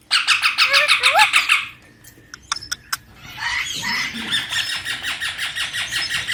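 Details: Baby Indian ringneck parakeet kept as a pet: a run of rapid harsh squealing squawks, a pause with a few clicks, then another steady series of buzzy squawks about three per second.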